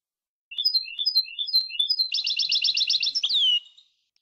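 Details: European goldfinch, a pet bird, singing: a run of thin high twittering notes, then a fast rattling trill ending in a sharp descending slurred note.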